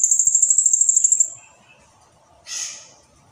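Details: High, densely pulsed trill from a blue-crowned hanging parrot, about fifteen rapid notes in just over a second, fading out, followed by a brief noisy rustle.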